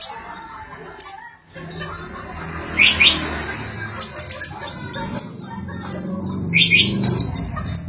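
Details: Sunbird, locally called konin or kolibri ninja, singing as song material for training magpie-robins; thin, very high chirps and short bursts, with a rapid tinkling run of notes near the end over low background hum.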